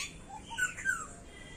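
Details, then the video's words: Black-hooded oriole, known locally in Assamese as সখীয়তী চৰাই, giving a short burst of clear whistled notes that slide downward, with a couple of softer lower notes before them. "Black hooded Oriole (সখীয়তী চৰাই)"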